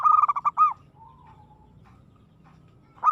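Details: Zebra dove, described as aggressive, delivering one loud burst of rapid rolling coo notes, then a soft low drawn-out note and near silence before the next phrase begins.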